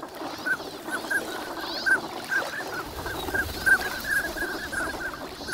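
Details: Wintering migrant ducks on Lake Inawashiro at Nagahama, Japan, on a fine winter morning, recorded with an ECM-B1M microphone: short bright nasal notes come irregularly from a calling flock, about thirty a minute, over a steady low hum.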